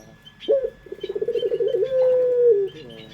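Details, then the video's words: Puter dove in pelung style, lure song: a sharp opening note, then a fast pulsing rolling coo that smooths into a long level tone and falls away at the end. Faint bird chirps are heard in the background. "Pancingan Suara Burung Puter pelung paling dicari bersuara merdu"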